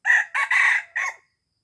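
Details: Red junglefowl from Aceh, crow used to lure wild junglefowl: four loud harsh syllables in just over a second, a short first note, a pause, then a long middle note and a clipped final note.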